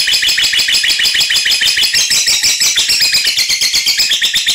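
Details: Lovebird ngekek and ngetik, clear birds from separate cages used as a lure for other lovebirds; very loud, continuous, fast rattling chatter of harsh high pulses, about eight per second, with no pause.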